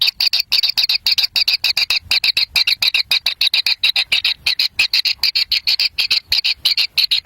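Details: Young kingfishers begging at the nest while a parent arrives with a black lizard. Rapid, sharp, repeated chipping notes come about three per second in an uneven rhythm.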